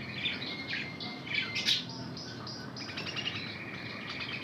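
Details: Intense red hen canary trained in Spanish Timbrado song, performing: sustained tones near the top register broken by rapid metallic trills and pulsed rolls, a sharp bright burst around the middle, steady low background hum throughout.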